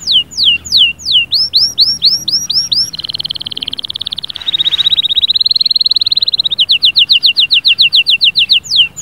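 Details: Energetic canary song built from rolls of repeated syllables. Swooping whistled notes give way to a dense buzzy trill, a wavering rolling passage, then quick, clipped repeated notes.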